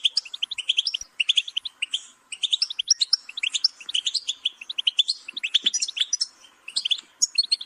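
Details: Goldfinch pouring out a dense, tinkling warble of rapid chirps, buzzy notes and little trills, phrases separated by tiny gaps of near silence.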